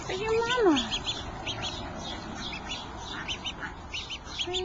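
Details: Duckling separated from its mother, calling in distress: rapid high peeps in quick pairs repeat through the clip, following one louder, lower drawn-out call with harmonics that bends downward at the start; steady background hiss.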